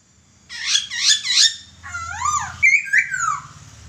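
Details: Laughingthrush master song for bird training: three quick bright harmonic notes in a row, then looping arched whistles and a descending slurred phrase.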